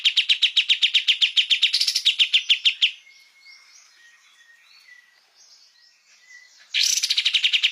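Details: Cage songbird training recording of kapas tembak: a fast trill of clipped notes runs for three seconds, followed by soft warbles and thin whistles, then a new trill begins.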